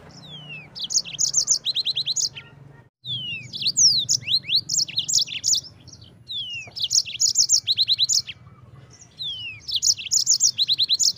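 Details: Yellow-fronted canary, long-duration gacor ngerol rolling song used as tutor for white-eyes: four extended phrases, each opening with falling whistled slurs and building into dense high trills and twitters, repeated every few seconds.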